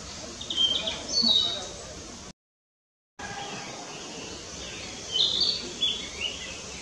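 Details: A Narcissus flycatcher sings in Fuchu, Tokyo, on 4 May 2017: two short bursts of high, clear whistled phrases a few seconds apart, with a steady background hiss.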